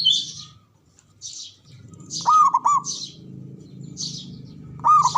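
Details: Two rapid, rolling coo phrases from a male zebra dove, heard midway and at the end. Repeated hissy chirps from other birds and a steady low hum run throughout.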